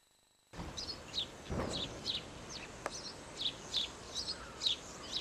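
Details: Firecrest at Hartlepool Headland, 2005, giving a steady series of very high, thin, sibilant call notes, about three per second, with a brief rustle of background noise.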